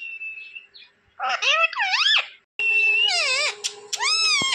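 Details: Talking pet parrot said to say papa in Hindi: a thin level whistle, then strained, buzzy syllables sweeping up and down, and a long drawn-out nasal phrase near the end.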